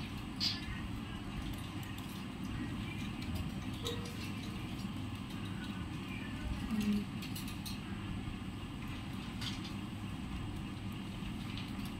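Steady low rumble of traffic and engine noise with faint clicks and jangles; no animal calls stand out.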